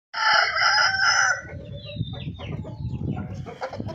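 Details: Golden Misri chicken: a loud drawn-out crow with a strong harmonic tone lasting over a second, followed by a low muttering clucky background with faint scuffling.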